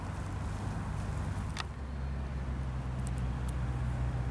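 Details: Low engine rumble and road noise dominate, with a few faint clicks and no animal calls.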